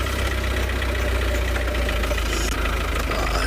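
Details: A vehicle engine idles loudly and steadily with a low rumbling drone during a sunset safari drive at Tswalu, with no animal voice.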